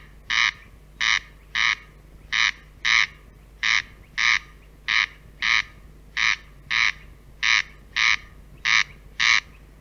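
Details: A corncrake in Central Russia gives its dry, rasping double note, crex-crex, repeated steadily about every second and a half over a faint low hum.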